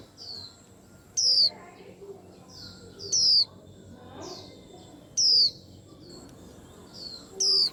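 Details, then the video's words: White-eye repeating a loud, thin, downslurred whistle four times, roughly every two seconds, with fainter echoing chirps from other birds in between. "Tiếng Chim Khuyên Làm náo loạn cả giàn"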